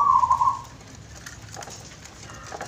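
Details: Caged zebra dove (perkutut), a very skittish bird caught at the roadside, calling after being left out; one short wavering, warbled coo lasting about half a second, then quiet room background.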